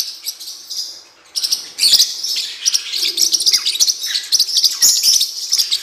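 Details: Chirping of a blue-winged parrotlet, recorded as training material: a soft opening twitter, then almost continuous high, rasping chatter with rapid squeaky notes and a few low knocks.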